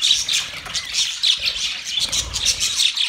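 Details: Budgerigar parakeets singing during mating: continuous busy chirping and scratchy warbled notes, high and overlapping, with faint low rumbling in the background.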